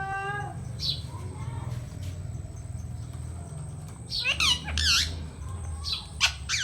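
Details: Indian talking parrot, a rose-ringed parakeet kept as a pet, mimicking speech: a short harmonic, voice-like phrase at the start, then a cluster of harsh, wavering squawks in the second half, with a steady low hum throughout.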